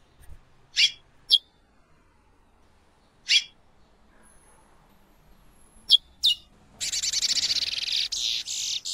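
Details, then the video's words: A female chestnut-bellied seed finch (curió) calls, used to stimulate males, with five sharp, high single chirps at irregular intervals, then a dense, rapid buzzy chatter in the last two seconds. "piado de curio femea"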